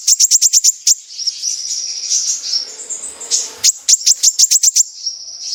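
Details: Kolibri ninja sunbird, a lure recording in 'besetan' style: a fast burst of piercing high ticks, a wavering high-pitched trilling passage, then another quick series of sharp ticks and a thin sustained note.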